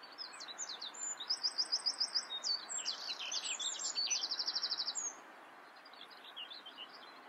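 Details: Common whitethroat song, a brisk scratchy warble of quick high notes leading into a rapid, evenly pulsed trill that stops abruptly, then fainter twittering against constant background rush.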